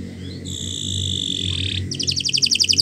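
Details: Canary song used as a training recording for other birds, with a long steady whistled note, then a fast buzzy trill of rapid repeated notes at the end.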